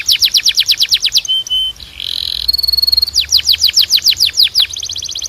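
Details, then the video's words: Belgian canary singing rhythmic descending chips, a brief whistle and buzzy rasp, a very fast steady trill, then further falling notes and a closing buzzy run. "Your Belgian Canary Might Sing NON-STOP After This"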